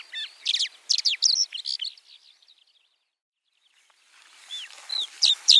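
A white-winged lark sings a rapid jumble of high, scratchy chirps and trills, pauses about two seconds, then resumes with thin whistled notes.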